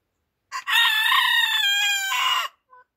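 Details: Morning crow of a rooster: a short clipped lead-in note followed by a long, strained, buzzy cock-a-doodle-doo lasting about two seconds, with a faint soft cluck just after it ends.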